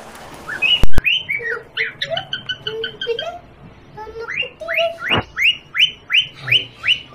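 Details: Pet parrot at home, playing with a baby: a run of short, bright, downslurred chirps repeated about twice a second, with lower squawky notes between them and a sharp knock near the start.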